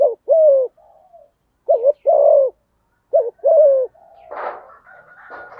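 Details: Earthy-voiced male spotted dove cooing to challenge a rival male, giving three phrases of a short doubled note and a falling coo, followed by a brief rough burst and a faint high whistle.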